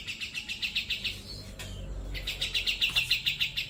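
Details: Grey-cheeked bulbul recorded as a training model for cage birds. A rapid rattling trill of evenly spaced pulses is broken by a quiet pause with a faint low rumble, then the trill resumes and grows louder.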